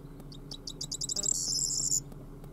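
A corn bunting sings a short burst of high, ticking notes that speed up into a dry, jangling trill like shaken keys, over a low background hum.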